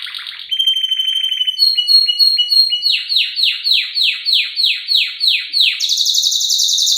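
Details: Canary in lively cengkok isian song, a lure to set a male singing: a short trill, clipped repeated notes, then a steady series of loud down-swept whistles about three per second, closing in a high fizzing trill.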